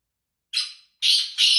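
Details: Black francolin, a native desi bird kept in England: three harsh, grating, high-pitched notes, one short then two longer close together.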